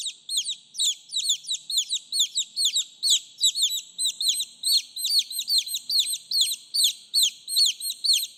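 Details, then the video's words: Chicks calling their mother, a steady chorus of shrill falling peeps from many birds at once, pulsing roughly twice a second throughout, with faint low rustling beneath. "TIẾNG GÀ CON KÊU, GÀ CON GỌI MẸ"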